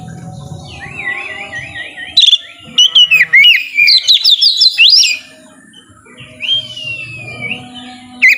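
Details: White-rumped shama song used to encourage quiet shamas to sing: a rippling trilled whistle, a burst of sharp clicks and rising phrases, a pause, then a long undulating whistled trill.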